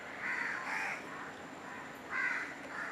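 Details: Great-billed heron (Ardea sumatrana) at Sungei Buloh, Singapore, giving harsh, rasping croaks, a pair of rough caws followed by two more after a short pause, with a faint steady hum behind.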